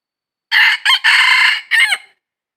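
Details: Wild red junglefowl crowing during junglefowl trapping, recorded 22 December 2021: a single loud, harsh crow of about one and a half seconds, broken into four bursts, the last one falling in pitch, with silence before and after.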